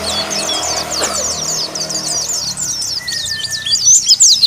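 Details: White-eye in full continuous ngalas song that calls out rivals: a fast, high, scratchy twittering stream of rapid slurred notes, with one long steady whistled tone partway through and a low rumble in the background.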